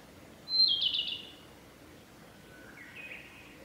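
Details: Male narcissus flycatcher singing on a forest road in Hyuga, Japan, on 1 May 2021: a short bright whistled phrase, then a fainter lower slurred note after a pause, over quiet background.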